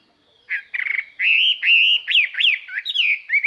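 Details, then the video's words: Decoy Chinese hwamei singing a clear, far-carrying song meant to provoke wild birds: after a buzzy stuttered start, a steady stream of loud looping whistles, some rising and falling sharply, continues without a break. "tiêng chim hoa mi mồi hót"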